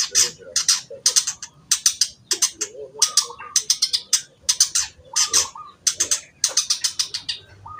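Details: Long-tailed shrike (cendet) singing in a pastol style, with harsh, raspy chattering bursts repeated about twice a second and short lower notes woven between them.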